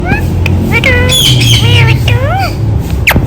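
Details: Rose-ringed parakeet (ringneck parrot) talking, said to repeat "Mitthu Mitthu"; a series of tonal, sweeping, speech-like notes with rising and falling bends, closing with a sharp squawk, over a low background hum.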